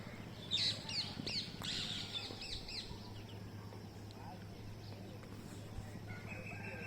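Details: Green parrots on a mango tree, filmed on a mobile phone while bird watching: a burst of harsh, screechy calls in the first three seconds, then quieter chatter over a steady low hum.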